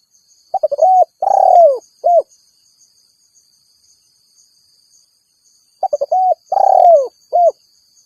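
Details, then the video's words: Rival-challenging call of a spotted dove, used as a lure for wild doves. Two mellow phrases of clipped opening notes, a drawn-out descending coo, and a brief closing note, with constant high-pitched insect drone behind. "Suara Burung Tekukur Memanggil Lawan"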